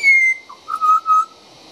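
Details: Juvenile pied butcherbird singing just outside a back door: a long clear whistle sliding down, then a few pure fluting notes held at a lower pitch, mellow and tonal.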